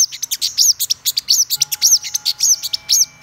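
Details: Shrill, fast song of a black-throated sunbird: tight clusters of ticking chirps laced with bright curving whistles, repeated without a break, with a faint steady tone underneath.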